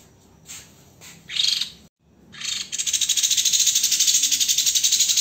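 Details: White-rumped shama master song for training cage birds, in the dense, harsh 'tembakan' style. A few scattered high notes and a short gap lead into a fast, steady stream of grating, buzzy bursts lasting over two seconds.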